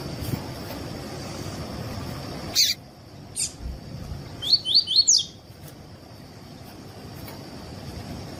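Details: Double-collared seedeater giving a tuí tuí phrase for training other seedeaters: a fast run of four upward-sweeping whistles after a few sharp clicks, with a constant high-pitched hiss behind.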